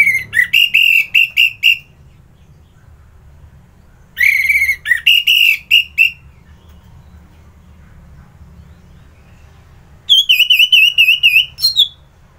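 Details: Orange-headed thrush singing vigorously in the morning, Kubutambahan, Singaraja, Bali, used as a lure to stir other birds to sing: three bursts of rapid, repeated whistled notes near one pitch, each burst about two seconds, separated by pauses.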